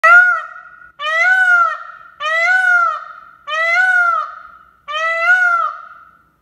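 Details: Peacock giving loud, nasal, trumpeting calls, five in a row, each a rising-then-falling wail of about a second, repeated roughly every 1.2 seconds against a quiet background.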